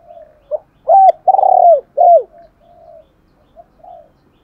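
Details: Spotted dove lure call meant to bring other doves close: a short coo, then three loud deep coos with a rapid rolling flutter in the middle, trailing into soft low coos.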